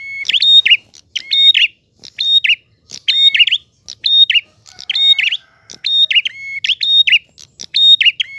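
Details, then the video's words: Loud, clear prinia song: bright, high chirping phrases mixing sharp clicks and short whistles, delivered roughly once per second in a steady run, against quiet surroundings. "Prenjak Gacor Ngalun. Suara jernih."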